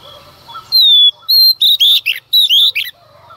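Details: Female Oriental magpie-robin's morning song to provoke males, with strong downslurred whistles followed by a lively run of loud, scratchy and whistled notes repeated in quick succession.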